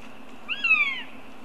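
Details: Young northern goshawk at a Riga nest on July 2nd, three siblings (one male, two females) meeting. One drawn-out, whining call slides downward, harmonic-rich, heard faintly against a steady low hum.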